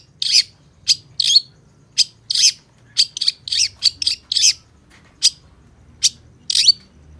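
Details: Long-tailed shrike giving loud, harsh, high chirps, singly and in quick pairs, spaced irregularly about every half second to a second.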